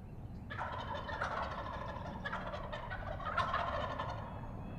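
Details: Pennsylvania wild turkey longbeards strutting and gobbling on the roost before flying down, 28 February 2018: a loud, rapid, rattling, descending burble gobble repeated twice in quick succession over a low rumble of background noise.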